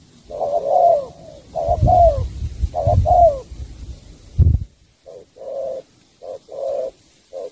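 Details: Spotted dove, Cà Mau, cooing in falling two-note phrases; a loud thump interrupts midway, after which softer, shorter flat coos continue.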